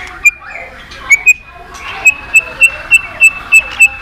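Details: White-rumped shama giving a steady series of short, clear whistled notes at one pitch, repeated about every third of a second after a few scattered notes at the start.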